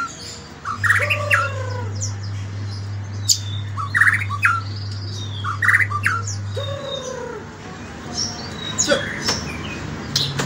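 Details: White-rumped shama singing in the morning: short phrases of rising and falling whistles with sharp notes, spaced several seconds apart, over a low steady hum and occasional clicks.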